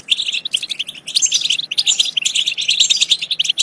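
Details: Continuous lively European goldfinch twittering, used to encourage goldfinches to sing and mate, made of quick high chirps, liquid notes and short trills packed closely together.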